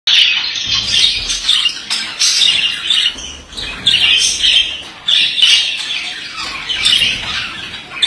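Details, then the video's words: Male budgerigar singing a continuous scratchy warble of chirps, squawks and clicks, in loud bursts of two to three seconds separated by brief dips, with faint low thumps underneath. "Erkek muhabbet kuşu sesi"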